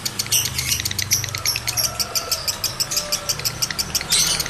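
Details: Male lovebird in breeding mood, its call played to get other males to chatter; quick, regular high-pitched ticking chirps, roughly three per second, ending in a louder burst.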